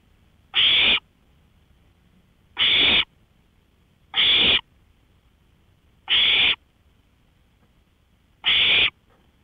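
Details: Owl out on a porch at 1:53 AM, May 5, 2013, repeating a short, rough hissing screech five times at a steady pace of roughly one every two seconds, otherwise quiet.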